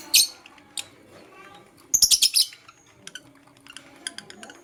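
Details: Morning chirping from a blue opaline lovebird: a sharp high squeak, then a quick burst of four shrill twittering notes, followed by softer, fainter ticking chirps.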